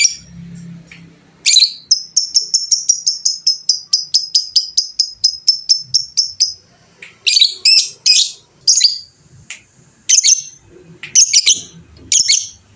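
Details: Fighter-type lovebird giving its prized long trilling chatter (ngekek panjang): a soft murmur first, then about five seconds of rapid, even, high buzzy notes, followed by scattered sharp squeaky chirps and short bursts.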